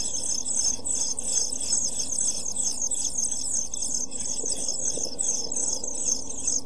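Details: Pied flycatcher nestlings, seven days old, calling inside a nest box on 23 June 2012: continuous shrill, very high chirping in fast overlapping bursts, about two to three per second, above a constant low mechanical hum.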